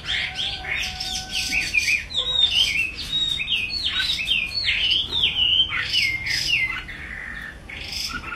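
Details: Chinese hwamei singing: a dense, varied run of loud, clear whistled phrases, with rising and falling slurs and quick trills packed closely together, continuing without pause throughout.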